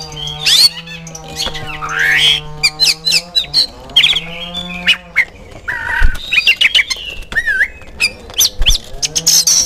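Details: Oriental magpie-robin song used as a lure to prompt kept birds to answer: dense rapid mix of sharp whistles, chips, slurs and buzzy notes over a steady low droning hum throughout.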